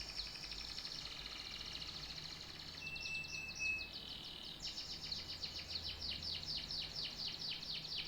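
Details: Canary singing: a fast, high buzzy trill, then a brief pure whistle, followed by a long run of quick downward-slurred notes repeated several times a second.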